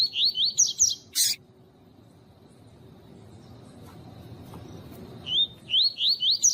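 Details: White-collared seedeater (Sporophila torqueola), tutor song: stimulating males with female calls.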